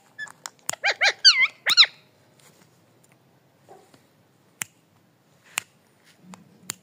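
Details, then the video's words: Parrot voicing a quick run of harmonic, wavering notes, some sliding up and down, within the first two seconds, then mostly quiet apart from scattered sharp clicks or taps. "The Parrot Sounds Talking"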